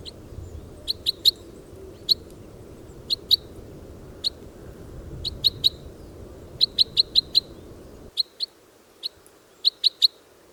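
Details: Red crossbill recorded in the wild giving sharp, high kip notes in short clusters of two to four, with quiet gaps between and a low background rumble that drops away.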